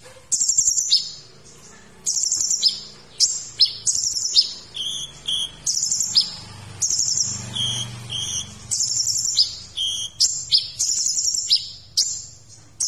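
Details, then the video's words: Sunbird known locally as kolibri ninja, singing a full, sharp tutor song for training other cage birds: rapid high twitters and metallic trilled bursts in steady sequence, with brief gaps and a faint low hum underneath. "Masteran Kolibri Ninja Isian Mewah"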